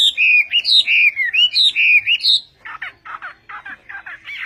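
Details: Vietnamese-style song from a Chinese hwamei: rich, fluty whistles rising and falling for two seconds, then a burst of harsher, scratchy chattering notes.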